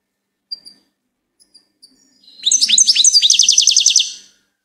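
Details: A few thin, scattered high chips from a goldfinch build into a dense, rhythmic run of bright twittering notes lasting nearly two seconds.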